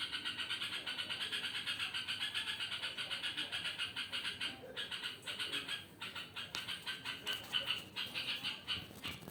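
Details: Strange night-time calling from a yellow-vented bulbul: rhythmic raspy pulsed notes in steady runs, breaking into more irregular, separated bursts toward the end, over faint low noise.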